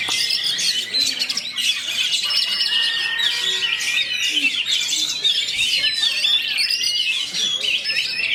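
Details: Oriental magpie-robin, called kacer, singing a fast roll speed rapat song: a continuous torrent of squeaky, whistled and chattering notes without breaks, layered over a long thin tone.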